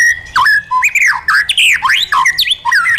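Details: Wild-style song of the white-rumped shama, used for training caged birds. Loud, fluting whistles swoop down and up in quick succession, each note bending sharply, with short gaps between the phrases.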